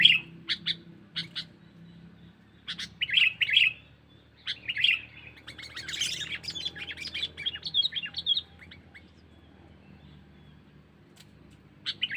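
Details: Lure call of a sooty-headed bulbul, given to attract wild birds: scattered sharp chirps and short twittering phrases, with a noisy rustling burst near the middle, then mostly quiet with a low hum.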